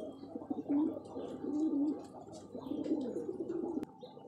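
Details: Cooing of kept pigeons given vitamins and medicine; low, rolling coos come in short swelling phrases, several in a row, then stop abruptly with a sharp click near the end.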